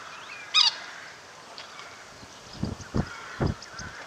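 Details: Fighting Eurasian coots at WWT Slimbridge, seen from the Zeiss Hide around noon in mid April on a misty day, handheld Panasonic SDR-S26; an abrupt, sharp, loud call early on, then three splashy thumps amid a soft background of distant birds.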